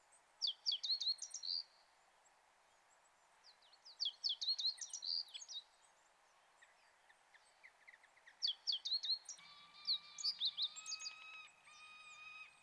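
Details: Wild Brambling in the mountains of the Kanto region, Japan, in late March, recorded with a shotgun microphone: three clusters of rapid high thin chirps about four seconds apart, then sustained steady whistled tones near the end.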